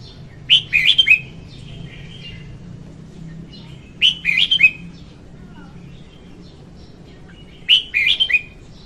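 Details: Female red-whiskered bulbul singing, recorded as a lure for trapping: short bright warbled phrases of four or five quick notes around mid-high pitch, repeated about every three to four seconds, with faint softer notes and low hum between.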